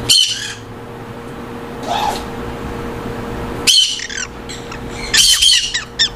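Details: Captive green-cheeked conures kept in aviaries under colony breeding give harsh, grating squawks in three bursts about one and a half seconds apart, over a steady mechanical hum indoors.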